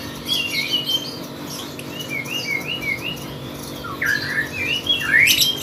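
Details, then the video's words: Singing contest lovebird: a fast chain of squeaky wavering whistles rising and falling, about four notes a second, ending in louder shrill upward screeches, over a constant low hum. "Burung love bird gacor kontes"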